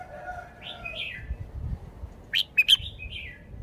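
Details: Red-whiskered bulbul in a cage singing: quiet slurred whistles, then three loud sharp chirps in quick succession and a falling warbled note, over a faint low hum.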